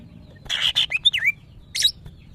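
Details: In breeding condition, a kept female greater green leafbird calls for males: a brief burst of harsh buzzy notes followed by clear slurred whistles dipping then rising, and a final rough high note.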